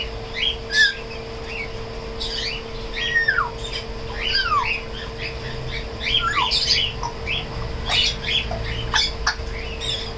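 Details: African grey parrot, a tame bird, vocalising indoors with a busy run of whistled upward and downward slurs, short squawks and chirps, many overlapping notes throughout, steady electrical hum beneath.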